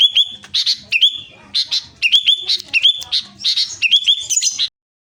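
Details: Sooty-headed bulbul from Central Java in loud, insistent song, giving short bright phrases of chatter capped by upward-hooking whistles, about one every half second, ending abruptly.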